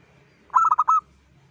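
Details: Local zebra dove calling to lure other zebra doves: one brief phrase of four quick, loud pulsed coos ending in a slightly drawn-out note, with quiet surroundings.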